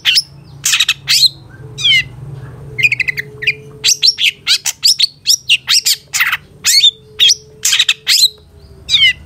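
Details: Long-tailed shrike tutor song for training caged cendet, 'satu titik nagen' style packed with fill notes: a dense run of varied high chirps, rattles and downslurred whistles, some notes clipped and buzzy, delivered rapidly with brief gaps.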